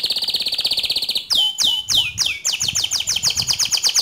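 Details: Pure white canary singing loudly: a fast high trill of rapid repeated notes, then several downward-sweeping whistles, ending in a quick run of bright repeated syllables.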